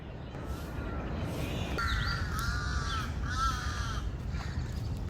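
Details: Crow calling in Lumpini Park, Bangkok, Thailand, a park full of water monitor lizards, visited at year's end: a run of harsh, drawn-out caws, two or three linked notes, over steady outdoor background noise.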